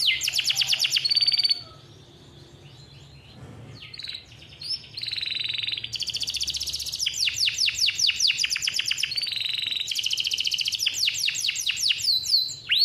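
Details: A captive-bred male canary sings long rolls and rapid high trills, bursts of fast repeated notes broken by brief pauses, with a faint low hum underneath.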